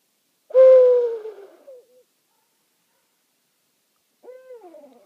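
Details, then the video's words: Owl at night in a meadow, one of two owls answering each other: a loud drawn-out hoot that slides downward and trails off, then after a pause a fainter, shorter downslurred hoot. "Owl Calling on Rattenbury Rd"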